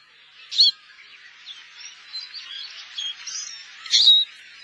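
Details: Wintering Eurasian siskin in Korea: two sharp high call notes open and close the passage, with soft, scattered twittering in between.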